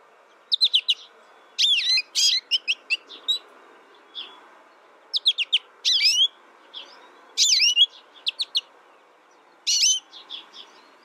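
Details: American goldfinch, a young captive bird raised in isolation through its first year and learning from a tutor recording, gives bursts of high twittering notes in short clusters separated by pauses, with a faint low background hum.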